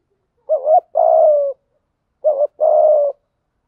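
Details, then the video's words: Decoy spotted dove calling to lure wild birds, repeating the same phrase twice: a wavering coo and a long burry coo, about one and a half seconds apart. "chim cu gáy mồi thúc gù kích bổi hiệu quả/ tiếng chim cu gáy bài bản gáy gọi một hậu"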